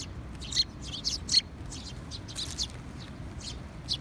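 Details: Sparrows on 20 June 2021 uttering brief, bright chirps at an uneven pace, a few louder notes standing out against faint background murmur.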